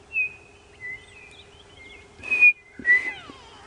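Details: A grey-headed bushshrike calls on a morning safari game drive, giving clear, high whistled notes, some level and some sliding down, over a steady low vehicle engine drone and a few short rasping bursts.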